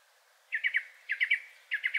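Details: Third male Song Thrush, its song partly like a nightingale's: a quick three-note chirping motif given three times over, each triplet separated by short gaps, above a soft background hiss.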